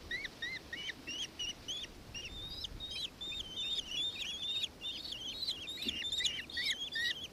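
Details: Nankeen kestrel recorded in Victoria, Australia on 4 December 2024, giving fairly quiet but clear high, sharply inflected notes in a quick repeated series, growing busier in the second half.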